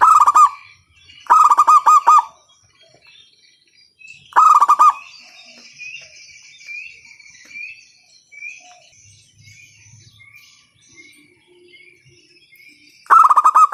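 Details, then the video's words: Local zebra dove giving a loud call used as a lure to get other doves singing: short bursts of rapid, clipped cooing notes, repeated after pauses of a few seconds, with faint high chirps from other birds between bursts. "PANCINGAN PERKUTUT LOKAL SUARA KERAS, bikin pada manggung."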